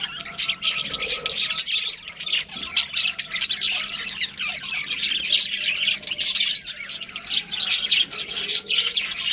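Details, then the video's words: Budgerigars produce a long stream of quick chirps, short whistles and scratchy squawks, pulsing in bursts with tiny pauses. "Cute Budgies Chirping Sounds"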